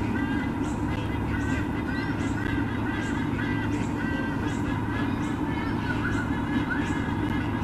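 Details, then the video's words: White-bellied sea eagles during a nest visit at Olympic Park, Sydney, Australia: a series of nasal, honking squonk notes repeated roughly every half second over steady low background hum. "visit and squonkathons"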